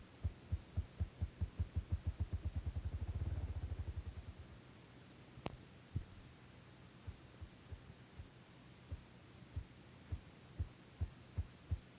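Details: Low, muffled thumping pulses like a heartbeat, crowding together and swelling in the first few seconds, then slowing to about two beats a second.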